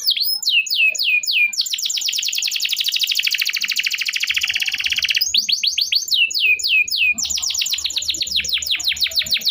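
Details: Canary singing a long 'cuit cuit emosi' song meant to coax silent canaries: a few sharp down-slurred notes, a long dense rattling trill, then more swooping whistles and quick trills.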